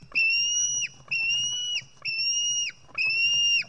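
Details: Estonian nest, 4 July 2018: a White-tailed eagle chick screams while being fed fish, four long even high whistles, each ending in a quick downward flick, spaced under a second apart.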